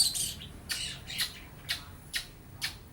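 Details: Mimicking lovebird and sparrow sounds, a young long-tailed shrike with a not-yet-black beak gives sharp, rasping high chirps, about five separate notes spaced half a second apart, over faint low hum.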